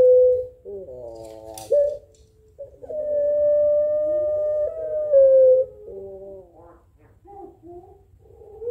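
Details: Puter Pelung Barbary dove calling back and forth with a rival. A short coo is followed by choppy, layered notes. Next comes a long, steady, drawn-out note lasting nearly three seconds, then broken, softer fragments.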